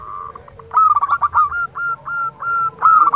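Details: Local zebra dove singing actively, a song used to stimulate other doves to sing: mid-pitched cooing phrases of short, clipped, rising notes strung together in quick runs, with a softer lower coo in the background.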